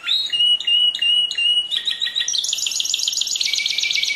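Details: Canary song opening with a few evenly spaced whistled notes, then switching to a loud, rapid rolling trill that carries to the end.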